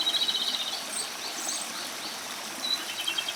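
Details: One of Japan's three celebrated songbirds, the Japanese robin, in continuous song; opens with a rapid rattling trill of high pulses, then a brief whistled note and another short trill, with a stream rushing behind.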